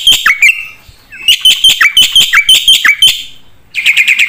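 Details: Black-winged starling giving full, energetic song with filler phrases. Crisp, high, clipped phrases come one after another with downward-sliding notes, pause briefly, then return as a quick chattering run.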